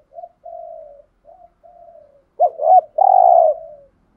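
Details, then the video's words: Spotted dove giving lure coos used in training: low, soft coos, a few short hoots building to a louder, throaty two-part coo, with no other sounds. "tiếng chim cu cườm mồi gù thúc"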